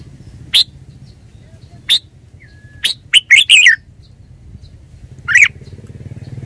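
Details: Red-whiskered bulbul singing single sharp notes followed by a fast, rolling three-note phrase and a final chirp, with a faint low whistle and a rising engine-like rumble at the end.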